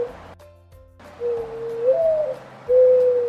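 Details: Mourning dove played in a kids' sound quiz: a low hollow coo that slides up then down, followed by a steady held coo, after a brief burst of music-like tones.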